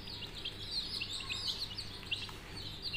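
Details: Coloured budgerigar chicks produce a quick flurry of high chirps, short falling and rising squeaks crowding together over a faint low hum.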